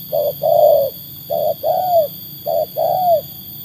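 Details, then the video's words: Trained spotted dove tested against wild doves repeats three coo phrases, each a short low note then a longer gently falling one, spaced about a second apart, over faint constant hum. "Alhamdulillah kualitas burung tekukur ajaran sudah teruji oleh burung liar."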